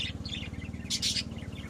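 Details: Short snatch of budgerigar chatter: a few soft chirps, then a loud, harsh squawky burst, over a continuous low throbbing hum.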